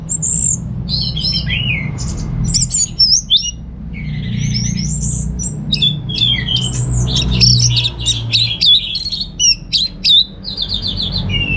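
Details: Caged orange-headed thrush from North Bali, Singaraja, kept for song contests, singing a varied chattering song of rapid whistled slurs, squeaky notes and high chirps in dense bursts over a low steady indoor hum.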